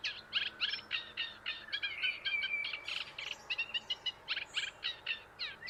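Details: At Île de Raymond, France, at dawn (about 6:20, around half an hour before sunrise, territorial singing), in an open, slightly wet spot bordered by reedbeds, a Eurasian reed warbler sings a steady, chattering string of harsh, grating notes, about three per second, with a brief whistled phrase.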